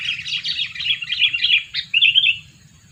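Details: Sooty-headed bulbul, a two-year-old lure bird, delivering a fast run of bright chattering notes that dips slightly, then a short rising phrase and a trailing note, with a low background hum.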